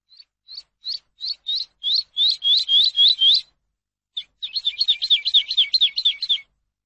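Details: Eurasian skylark song, for teaching captive birds: single rising whistled notes come closer and louder into a series, a short pause, then a rapid, slightly irregular run of chattering notes.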